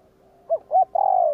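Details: Spotted dove giving the provoking 'gù kích' coo used to stir wild doves: two short clipped notes followed by a long, level, slightly falling coo, a single phrase against a quiet background.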